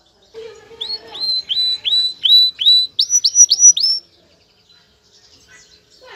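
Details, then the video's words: Excited male canary singing to call a female and urge her to mate: a run of about eleven sharp, upward-sweeping whistled notes, lower ones first then a higher set, delivered rapidly over three seconds before falling quiet. "تغريد كناري جاهز التزاوج"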